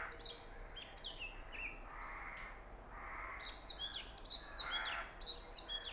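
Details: Oriental magpie-robin singing at Punnad, Iritty, captured with a Nikon Coolpix B600: bright whistled notes falling in pitch in quick sequences, with harsher, lower rasping calls mixed in midway and toward the end.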